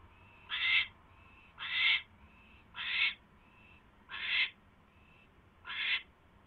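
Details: Male owl bringing his mate a third mouse, evening of 24 January 2016; five loud breathy screeches about a second apart, each short and harsh, separated by soft thin tones, with constant low hum.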